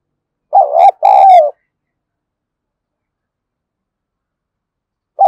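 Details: Decoy spotted dove, harsh thổ sấm voice, provoking wild doves; a loud two-part coo with a brief sharp click in the middle, a long silence, then the next coo beginning.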